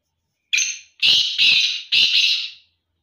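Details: Black francolin calling during a contest. A short nasal note is followed by three long, loud, scratchy notes that run almost together, fading at the end.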